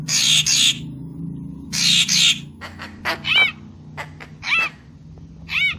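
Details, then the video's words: Papuan magpie-robin used as a lure call: two loud raspy buzzes open, followed by sparse ticks and three well-spaced nasal, downward-arched notes. "Suara Pikat Burung Murai Papua Full Gacor"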